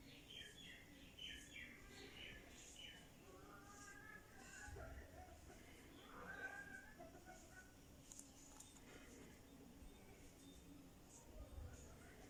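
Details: A pet talking rose-ringed parakeet chatters in faint, speech-like phrases mixed with short high chirps, over a low rumbling background hum.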